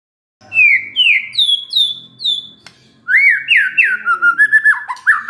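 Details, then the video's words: White-rumped shama lure song for provoking a stressed shama: five whistled notes each sliding downward, stepping higher in pitch, then a quick string of rising and falling warbled phrases. "SEKETIKA MURAI STRES SONTAK BERBUNYI DENGAR PANCINGAN INI"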